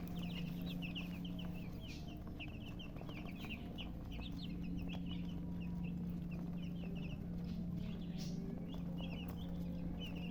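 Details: Chicks chirping in a busy flock, rapid overlapping high cheeps repeated several times a second, over a constant low electrical hum.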